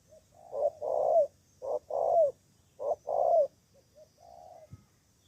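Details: Spotted dove in Cà Mau, Vietnam, used as a decoy against rival birds. Three clean paired coos come about a second apart, followed by soft short trailing notes and a sharp tap.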